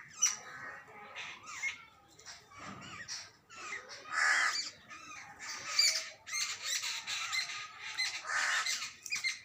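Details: Jungle babblers, young and adult birds, in a noisy group: grating squawks and chatter arriving in irregular bursts, some louder harsh notes standing out, thin squeaks between.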